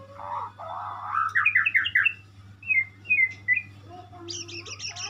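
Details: Singing white-rumped shama, known locally as murai: a slurred whistle leading into a quick rising chatter, short sharp notes, then a high rattling burst at the end, low hum behind.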